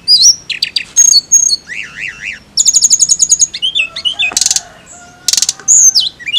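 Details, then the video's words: Flycatcher song, loud and varied: sharp high chirps, a zigzag trilled phrase, fast rattling strings of notes and bright whistled slurs, with short pauses between bursts. "TLEDEKAN AUTO BUNYI DENGAR INI"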